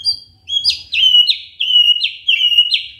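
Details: A magpie-robin repeats one sharp, high whistled note about seven times, each a quick downward-bending whistle. The recording is meant to prompt a quiet bird to sing.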